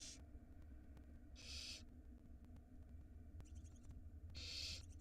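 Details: Tiny barn owl nestlings at feeding time in a nest box on a live camera in Israel, hatched March 2022: three harsh, hissing begging bursts about half a second long, well spaced, over a steady low hum and faint clicking.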